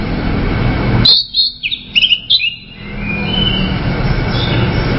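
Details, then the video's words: Orange-headed thrush giving a brief burst of song: a handful of clear, high whistled notes and short twittering slurs lasting under two seconds, then only steady background hiss. "SUARA ANIS MERAH"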